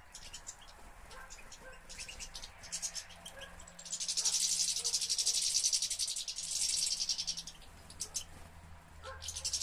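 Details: European goldfinch from a breeder's flock of European finches, recorded 2013; scattered high chirps, then a long, loud, rapid buzzy twittering trill of about three seconds, fading back to sparse tinkling notes, with faint low hum.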